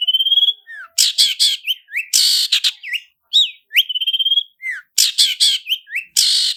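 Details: Long-tailed shrike lure song full of varied content: clear rising and falling whistles alternate with harsh buzzy bursts and quick rattled notes in a lively, unbroken sequence.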